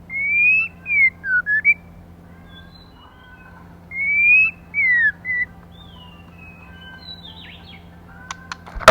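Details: Whistled song of a female white-rumped shama used to stimulate males: two matching phrases of a bright rising note, a falling slur and quick warbles, then faint notes and a burst of clicks at the end.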